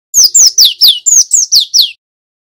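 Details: Lure song of a male cinereous tit, meant to stimulate young birds into singing: seven bright, steeply falling whistled notes in rapid regular succession over about two seconds, against silence.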